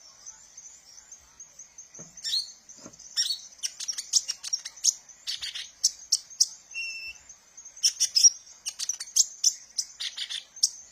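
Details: Sunbird, known locally as kolibri ninja, used as a lure and therapy sound for training cage birds; high, thin chirps and sharp twittering notes in quick irregular bursts, with a steady high hiss running underneath throughout.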